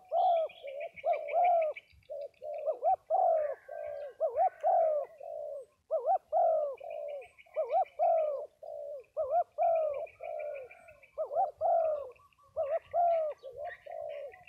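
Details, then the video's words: Cooing from spotted doves gathered in Đồng Tháp, Vietnam: an almost unbroken run of mellow, hooting phrases with a rising-then-falling lilt, several birds overlapping, above thin, high, buzzy chirps from other small birds. "Giao Lưu Các Cu gáy Đồng Tháp"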